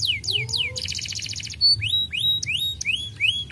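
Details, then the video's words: Canary song meant to draw an answer from quiet canaries: two falling whistles, a brief buzzy rattle, then clear high tones and upward-curving slurred notes repeated at uneven intervals. "putar sebentar kenari diam langsung nyautt gacor"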